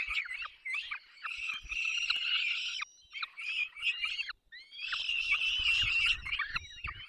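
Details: Peregrine chicks being fed by their parents, Barycz Valley, 3 May 2024: a dense run of shrill, grating screeches with short dips and falling tails, interrupted by a few brief gaps.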